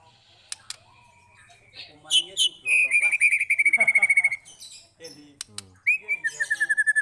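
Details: White-rumped shama in a long, full song played as a lure to make other shamas sing, for daily training or before contests. Sharp varied whistles, then a fast, even trill of repeated notes, ending in a second rapid trill.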